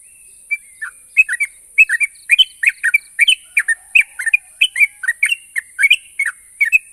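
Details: Song of the yellow-vented bulbul, used to coax silent birds into answering: a continuous run of bright, liquid, warbling notes in quick pairs and triplets, rising and falling, steady high hiss behind.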